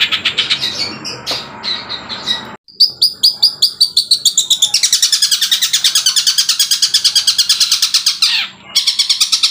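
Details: Long-tailed shrike (cendet) mimicking, reportedly copying 'kuntilanak' and 'tengkek buto' calls. Mixed harsh notes give way to a long, fast series of shrill chattering pulses, with a short pause and then a descending sweep near the end.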